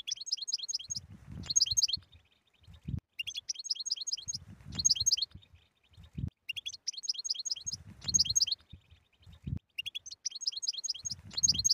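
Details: Goldfinch song of the style called بتبتة, played to stir a silent goldfinch into singing: a high, jingling twittered phrase repeated about every three seconds, with soft low knocks and rustles between phrases.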